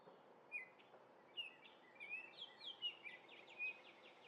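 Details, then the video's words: In Minnesota, orioles taking grape jelly sing clear whistles that lead into a fast chatter of repeated short notes, about a dozen in quick succession, over low background noise. "Orioles singing and eating grape jelly!!"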